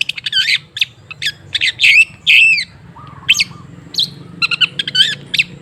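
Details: Long-tailed shrike song used as a lure to get a silent bird singing: harsh chattering notes and squawks at 2–4k, buzzy slurred phrases, then a low warbled run near 1k midway, burst after burst.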